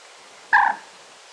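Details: A Muscovy duck in the Limousin countryside, France, in mid-November 2013, gives one short, soft, nasal note of about a quarter second, mid-pitched with a bright overtone, against quiet background hiss.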